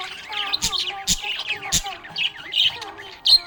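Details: Pet budgerigar chirping happily: rapid warbled chatter of short squeaky chirps and whistles with sharp clicks, over a steady low hum.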